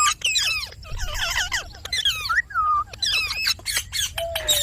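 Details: Pet Indian ringneck parakeet talking: a rapid string of harsh, bending, speech-like squawks and chattering notes, with a few sliding whistled tones and one long, flat whistle at the end.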